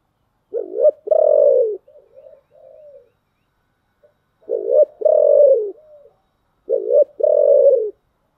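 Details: Spotted dove in thổ-style song: three loud cooing phrases about two seconds apart, each a short rising-falling note, then a long steady coo trailing into softer murmured notes, with clean silence between.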